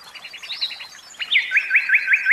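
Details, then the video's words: Common nightingale kept in a cage: a short row of soft clipped notes and a high slur, then a loud series of five ringing upslurred whistles repeated in steady rhythm. "Oiseaux de cage, Chant Ross.Philomele"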